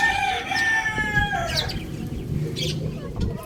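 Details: Young rooster on a roof lets out one drawn-out, harmonic crow-like call of just over a second. Rustling and scattered high chirps follow.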